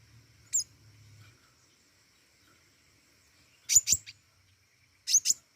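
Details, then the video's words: Flowerpecker called pentis raja, singing vigorously: a single sharp high chip, a pause, then paired and tripled piercing chips about every second and a half in near silence. "burung pentis raja gacor"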